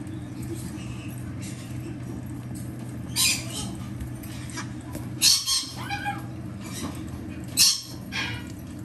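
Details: Three captive green-cheeked conure chicks, hatched mid-July 2024: two green-cheeked males and one yellow-sided female. They give a few short, harsh, raspy squawks with quieter chirps between, over a steady low mechanical hum.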